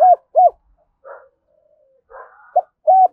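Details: Decoy spotted dove calling in the morning: short, hollow low coos in pairs, broken by softer raspy, breathy notes.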